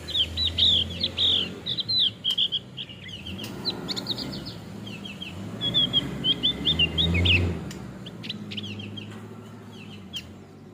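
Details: Male Javan grey-throated white-eye, known locally as opior jawa, singing: rapid bursts of high, thin, twittering chirps in quick runs, pausing briefly between runs, over a low steady hum.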